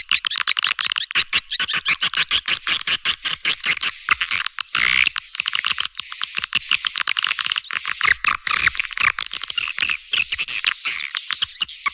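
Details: Call to lure young swiftlets, a long continuous stream of rapid clicking chirps beneath a sustained high whistle, barely pausing throughout.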